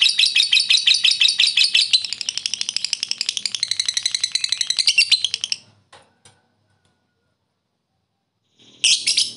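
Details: Lovebird ngekek trill used to goad rivals: a rapid, buzzy, high chattering trill lasting more than five seconds that fades out, a pause, then a short burst of chatter at the end.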